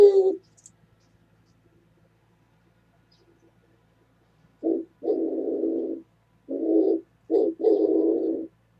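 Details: Oriental turtle dove, 27 January 2017: after a short coo and several seconds of silence, a fresh phrase of low husky coos, short and drawn-out notes alternating.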